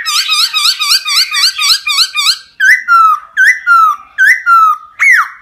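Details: Forest laughingthrush, a caged songbird, singing: a fast series of repeated bright whistled notes, then loud rising-falling whistles with short downward-sliding tails, repeated about once every half second.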